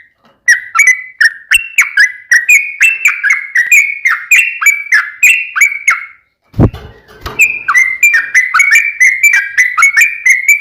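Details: Yellow-vented bulbul singing a long rapid song as a lure for other bulbuls: a run of bright slurred whistles, a sharp knock and a short break, then the bubbly phrase resumes.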